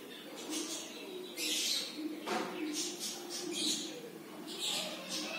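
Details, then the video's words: A red-collared lorikeet gives harsh, rasping screeches in short bursts about a second apart, over a low murmur of background voices. "red-collared lorikeet"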